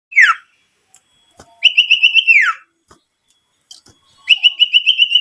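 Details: Owlet lure call used to provoke other owlets into calling and to attract wild birds. A short falling note comes first, then long quavering whistles, each held level and dropping at the end, separated by silence.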